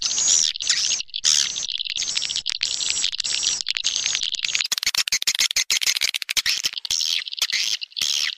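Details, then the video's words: Attraction sound for swiftlets, made of sustained high buzzy twitters that break into fast clicking, stuttering chirps in the second half. "Suara Tarik Burung Walet"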